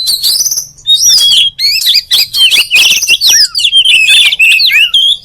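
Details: Oriental magpie-robin (kacer) pouring out a continuous varied song of wavering high whistles, downward slurs and gritty chatter, a faint low hum underneath.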